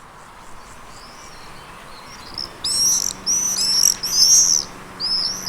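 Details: Common swifts in summer giving shrill, high screaming calls. After a quiet start the screams come in bursts from about two and a half seconds, several overlapping in quick succession.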